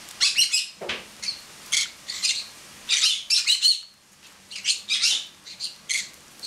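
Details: Male pineapple conure kept indoors, laughing while sitting on a person's head; irregular short bursts of scratchy pulsed notes and squeaks, with a quiet spell midway.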